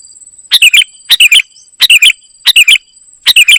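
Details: Golden-fronted leafbird, singing gacor isian. Rapid three-note chirping phrases with a bright slurred ending repeat about every seven tenths of a second, five in a row, with a steady high hum beneath.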